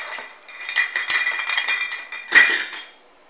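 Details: A Hahn's macaw, recorded on 16 March 2013, gives harsh, raspy chatter for about three seconds, ending in a louder shrill screech, with faint clinks in a small indoor room.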